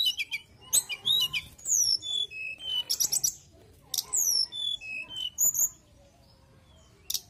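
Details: Mountain tailorbird singing vigorously: thin, high whistled notes, some sliding down and others rising, given in quick bursts with short gaps, plus a few sharp clicks. A low hum sits underneath.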